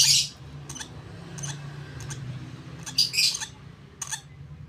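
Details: Hand-fed lovebird chick, 32 days old, gives harsh rasping begging squeals at start and near three seconds, with clicking feeding sounds between and a low hum.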